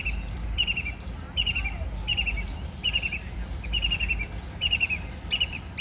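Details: White-throated kingfisher bathing and flying: sharp, harsh notes with a buzzy edge, repeated steadily about every half second, over low rumbling background noise.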